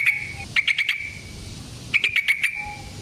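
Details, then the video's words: Sooty-headed bulbul sound used as a lure for trapping and to make other bulbuls sing: two quick bursts of rapid chattering notes, each trailing into a thin whistle, with a soft low whistle between them. "Suara Burung Trucukan GACOR ROPEL Panjang Ampuh Untuk PANCINGAN TRUCUK Bahan dan PIKAT TRUCUK"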